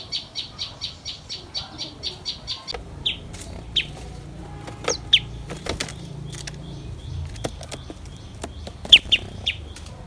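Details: Common tailorbird young as a parent returns with caterpillars to feed them: a steady series of high, thin chirps about four per second for over two seconds, followed by isolated sharp chips, clicks and rustling.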